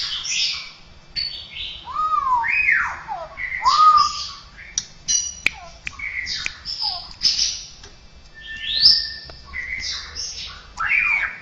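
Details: Straw-headed bulbul (cucak rowo) singing a filled-in song stuffed with odd imitations of other birds, cats and humans; a rapid jumble of varied whistled slurs, rising and falling sweeps and sharp clicks, with faint low background noise.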